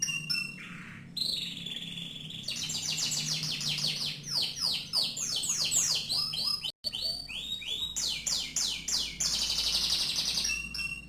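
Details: Canary singing loud, varied passages of rapid trills and repeated falling sweeps, broken by a brief silence midway, then continuing with rolling trills and high whistles.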